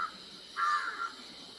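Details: On an evening jungle walk near a jungle resort, a crow gives a harsh, drawn-out caw, cawing to chase away a kalij pheasant, which the crow is also seeing for the first time.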